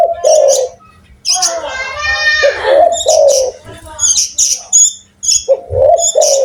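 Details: Lively, loud spotted dove giving repeated low, rounded coos, some swelling and falling, with gaps between phrases; sharp high chirps from other birds and a brief buzzy harmonic call overlap in places.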